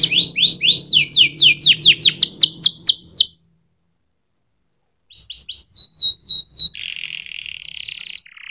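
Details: Canary song in two bursts: a quick series of bright rising whistled syllables, a two-second pause, then more sweeping notes ending in buzzy rolled trills.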